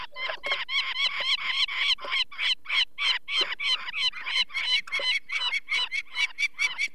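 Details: Nesting Peregrine falcon in the Barycz Valley, Poland, 2 May 2023, calling in alarm as people take one of four chicks with eye problems. Dense, rasping kek notes fired about three per second, harsh and unbroken.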